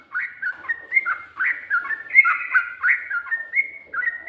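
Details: Trucuk, the sooty-headed bulbul, delivering a continuous ropel-style song: dense chains of liquid, warbled whistles that swoop up and down, packed closely together with almost no gaps.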